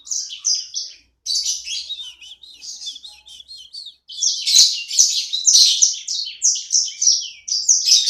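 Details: A small caged songbird chatters in a fast, high-pitched warbling song made of dense twittering notes, pausing briefly after the first second, then resuming louder and busier.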